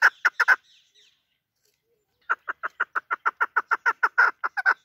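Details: Chukar partridge, a local shekari bird, utters a few rapid clucks, pauses for over a second, then resumes a steady, fast series of sharp chuk notes.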